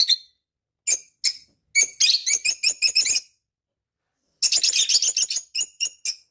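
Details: Parrot kept as a pet calling indoors in quick clusters of sharp, high chirps, isolated squeaks first, then fast trilled runs separated by a pause of over a second.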